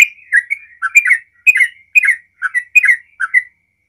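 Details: Yellow-vented bulbul singing 'ropel' phrases to provoke other bulbuls: clustered liquid, gurgling notes in quick pairs and triplets that end in silence after about three and a half seconds.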